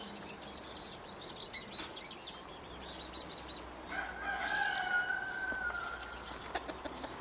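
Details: Mother hen with her 15 chicks: a dense stream of high, short, downward chick peeps runs throughout, then a long drawn-out harmonic call swells and holds for about two seconds in the middle, with faint scattered clicks.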